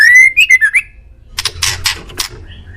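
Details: Murai song used to get pet birds replying: a rising whistle flows into quick warbled notes, followed by several loud harsh rasping calls.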